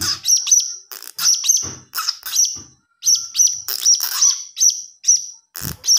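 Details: Blue-crowned hanging parrot nestling producing nearly continuous strings of high, sharp, squeaky chirps with a few brief breaks; recording serves as a lure.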